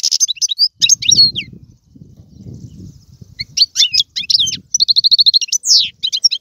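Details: European goldfinch giving Algerian-style song with tiwawati, galoubi and serfati phrasing: bright scattered twitters and a fast rattling trill, over low thumping and rustling noise.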